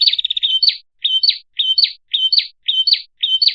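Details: Lure call of a red-headed prinia: a fast stuttering trill, then paired high chirps, a flat note sliding into an upward flick, repeated about every half second.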